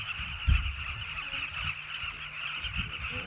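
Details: Many Southern carmine bee-eaters call together at their nesting colony in river banks of the South Luangwa Valley, Zambia. Continuous overlapping burry calls sound over low thumps and a background rumble.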